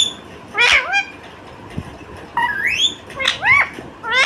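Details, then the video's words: Indian ringneck parakeet chirping: short harmonic chirps near the start, a rising whistled sweep in the middle, then curved, down-slurred chirps close together toward the end, with quiet pauses between. "Indian Ringneck Chirping Sound"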